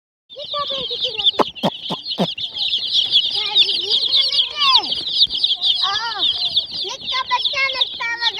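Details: Many domestic chicken chicks at a goat farm, dense continuous high peeping and chirping throughout, with lower clucking notes and sharp clicks mixed in.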